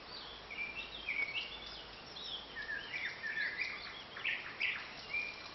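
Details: Nightingale song as a varied, continuous stream of short whistled and chirping phrases, some rising and some falling, delivered over constant outdoor background hiss.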